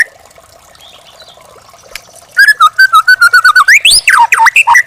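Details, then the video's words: Young wild white-rumped shama, used to train caged songbirds: after a quiet start, a run of about a dozen evenly repeated short whistles, then loud swooping rising and falling slurs. "masteran burung murai batu muda hutan"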